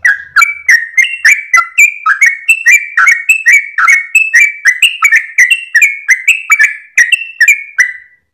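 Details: Sooty-headed bulbul singing a long, rapid song at first light, tail wagging. Continuous chain of clear, slurred whistles, alternating higher and lower notes at a quick steady pace.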